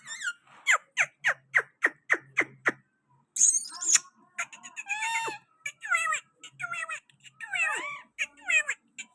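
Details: Rose-ringed parakeet in Pakistan, at a window: a series of sharp, descending squeaky notes, then a varied run of rasping chatter and twisting chirps, in a quiet room.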